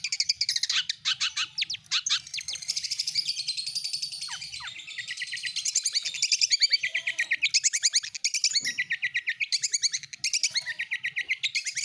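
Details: Long-tailed shrike song played as a lure to set silent caged birds singing: a dense, fast run of high chirps and rapid trills, repeated without pause and with shifting notes and brief downslurred whistles, over faint low hum.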